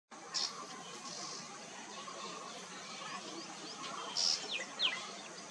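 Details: Common tailorbird at Doddenekundi Lake, Bangalore, in March 2022, giving a few sharp, high chipping notes spaced several seconds apart, the last one slurring downward, over a steady background hiss.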